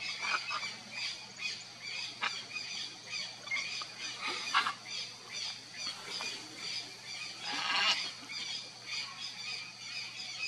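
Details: Red-and-green macaw pair at their nest, giving scattered harsh, raspy squawks at about two-second intervals. A steady, shrill background chorus runs through the whole recording.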